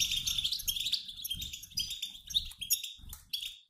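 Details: European goldfinches, a mixed group of males and females, give dense, high, tinkling twitters in overlapping bursts, used to prompt males to sing; soft low thumps sound beneath.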